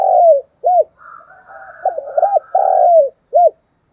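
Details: Morning call of a spotted dove, luring and calling: low mellow coos, a long falling drawn-out coo and short hooked notes, with softer higher bird sounds in the background.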